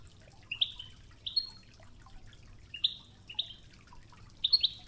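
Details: European goldfinch in the Toughza song of Oujda with river water sounds, giving short separate tinkling chirps about every half second, ending in a quick double note over the constant flow.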